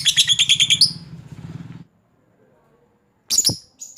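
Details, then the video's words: Lovebird chattering to call a rival. A rapid burst of shrill, rattling notes races for almost two seconds, with a low buzzing pulse underneath, then silence before a couple of sharp high squawks. "suara burung lovebird pancingan lovebird ngekek panjang memanggil lawan"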